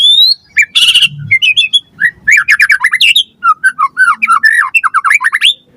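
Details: Lure recording of white-rumped shama song for captive-bird training: a high whistle, a harsh noisy burst, then rapid rattling series of downslurred notes and lively whistled warbling.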